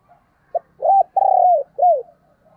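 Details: Spotted dove decoy cooing to attract wild doves. One phrase: a brief pip, an arched coo, a long steady coo sliding down at the end, and a final falling coo, clear against silence.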